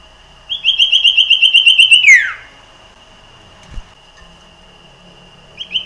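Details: Wild common iora song played to push caged males into full song: a rapid train of about twelve even high whistled notes on a steady pitch, closing with a steep falling slur, then quiet with a soft click and one more note.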